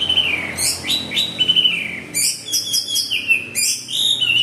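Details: Orange-headed thrush singing in the gacor teler style: high, clear whistled phrases that slide downward, alternating with bursts of sharp, very high chirps and trills, given almost without pause.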